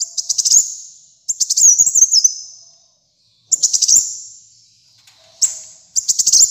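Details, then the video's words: Caged sunbird, local name kolibri muncang: four phrases of rapid, sharp, very high rattling notes, each tailing into a fading thin whistle, with short gaps of silence between. "Kolibri Muncang Gacor Dor untuk Masteran dan Pikat Ampuh"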